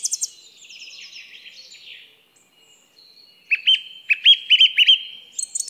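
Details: Song thrush giving a soft, scratchy warble for two seconds. After a brief silence it sings a loud, clear note repeated about five times in quick succession, then a high closing flourish.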